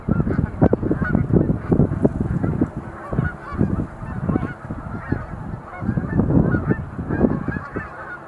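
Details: Several sandhill cranes doing display leaps in November 2020 at the Montezuma National Wildlife Refuge visitor center, calling in a continuous overlapping chorus of rattling honks, with repeated low bursts of wind noise beneath.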